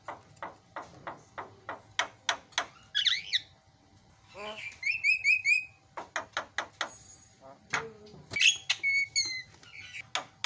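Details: Asian pied starling in a loud, busy song used as a training recording: rapid clicking notes mixed with whistled slurs, buzzy bursts and chattering trills, with a steady faint hum underneath.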